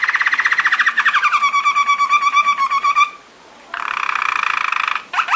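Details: Waterslager song canary training song: rapid bubbling roll gliding down into a steady two-toned trill, a brief pause, then another fast rolled tour and a rising note at the end.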